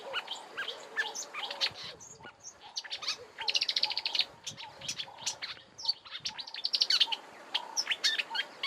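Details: Marsh warbler in song at Kap River Nature Reserve, Eastern Cape, South Africa, March: dense rapid warbling with repeated notes and mimicked snippets, some buzzy trills, over a busier background of lower chirps and rustling.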